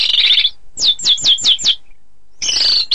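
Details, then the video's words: Orange-headed thrush singing, recorded for song-contest training: a buzzy, warbled phrase, then five clear downslurred whistles in quick succession, a pause, and another buzzy rattling phrase. "Suara Kicau Burung Anis Kembang"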